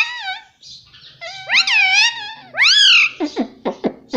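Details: Indian ringneck parakeet, a pet, chattering in mimicked speech: wavering harmonic notes, two long loud arched syllables, then a run of short sharp descending chirps.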